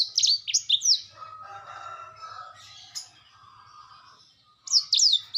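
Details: Black-throated canary in 'gacor' song: brief bursts of high, sharply swooping whistled notes at start and end, separated by a quieter stretch of hissy, muffled sound with a faint low hum.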